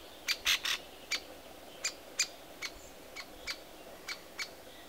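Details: Young great spotted woodpecker at the breeding site just before leaving the nest, giving short, sharp, high calls, sometimes in quick pairs or triplets, repeated irregularly against a quiet background.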